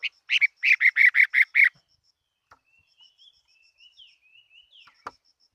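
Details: Fighting Chinese hwamei delivering a quick burst of loud, rich, repeated whistled notes, then soft, thin, rising and falling notes after it, with a steady faint high ticking throughout.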